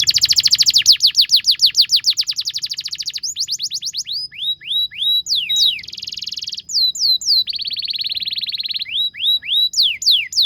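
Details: Long canary song meant for training young canaries to sing and perform: rapid falling notes repeated many times, buzzy rolls, sweeping upslurred whistles and dense high trills, with almost no pause.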